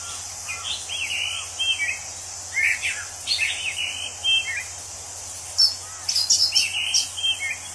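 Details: Wild orange-headed thrush, known for a song likened to a drunken person, delivering lower slurred whistles and warbled phrases in quick succession, with sharp high chips near the end and a persistent insect background.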